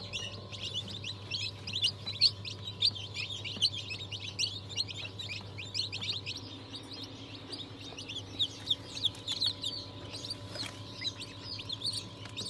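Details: Chorus of freshly hatched chicks, mixed breeds including Ayam Cemani, Sultan, Cochin and Wyandotte, recorded 22 January 2023; continuous high-pitched cheeping from many birds at once, with a constant low droning hum beneath.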